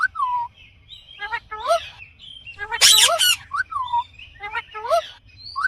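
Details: Indian green ringneck parakeet giving its natural voice: loud harmonic calls that bend down and then level off, mixed with short rising notes and one harsh burst of screeching near the middle.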